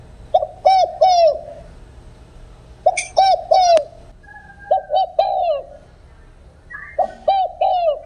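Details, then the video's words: Tailless field-style cooing of a spotted dove, meant to draw wild doves to a trap. Four groups of three mellow, down-curving coos, evenly spaced, with a faint higher whistle heard in the gaps. "tiếng cu gáy đồng không hậu/ tiếng cu gáy kích bổi nhanh nổi/tiếng cu gáy đồng không hậu siêu kích/"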